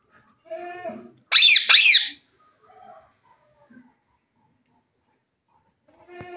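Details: Wild jungle parrots chattering in the evening: one loud, harsh burst of squawks, with softer nasal and squeaky notes scattered before and after and long quiet gaps between.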